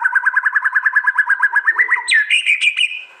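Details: Fierce 'tembakan' from a contest White-rumped shama in East Java, phone-recorded for a compiled master track: quick repeated whistled notes, about eight per second, climbing slightly, then breaking into a higher chattering phrase.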